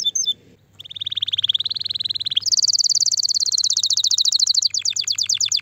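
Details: Canary song for stimulating a female. A brief whistled note gives way to a steady buzzing trill that slowly rises. The trill then jumps into a very high, fast, ringing rattle and finishes with sharper, spaced chips. A low hum lies beneath.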